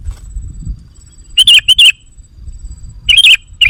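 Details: Sooty-headed bulbul lure sound meant to draw in wild bulbuls: a thin steady high tone runs in the background, broken by two pairs of short, bright, warbling whistled notes separated by a gap of low noise.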